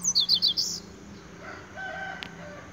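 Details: Double-collared seedeater singing a spirited Tui Tui style song: a quick burst of five or six sharp, high chirped notes in under a second, then the phrase stops, leaving faint low background hum and a soft click.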